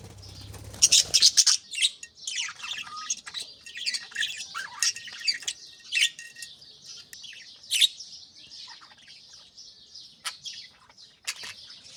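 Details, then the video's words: Pet budgerigars (Australian parakeets) at early morning, a flock chattering while chicks in nest pots are fed; dense continuous high twittering and warbling chatter with scattered sharp squawks and clicks, overlapping calls from several birds throughout. "بجریز کی خوبصورت صبح 🦜Beautiful Morning Vibes & Chirping Sounds"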